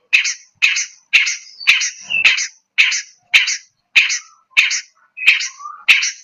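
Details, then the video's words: Long-tailed shrike (cendet, pentet) giving a provocation song. Loud, harsh, rasping notes repeated about every half second, about ten in a row, with a few faint short whistles between them. "Cendet pentet toed profokator"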